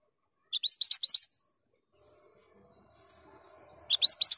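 Male Pied Bushchat singing quick bursts of about six bright, upslurred whistled notes, high-pitched and sweet, with a pause of over two seconds between phrases.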